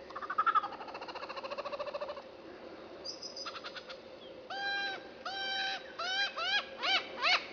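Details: Forest lyrebird mimicking what it hears, opening with a soft rapid buzzy trill, then high ringing notes and looping whistled phrases repeated roughly every half second, rising in loudness.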